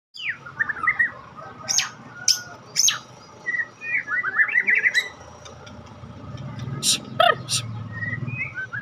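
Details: White-rumped shama of the Medan type, a caged songbird, sings a varied run of rich whistled phrases, quick chattering trills and sharp high clicks and chips, with steady low rumble behind.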